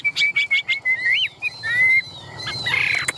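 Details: Caged Chinese hwamei giving a quick series of short, bright chirps. These are followed by a few sliding whistles, some rising, some falling, and a burst of higher, noisy notes at the end.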